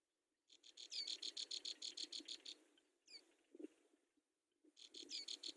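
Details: Hungry brown prinia chicks in the nest beg as their mother feeds them, in fast, high, buzzy pulses, about three a second, in two bursts separated by a short pause with a few thin chirps.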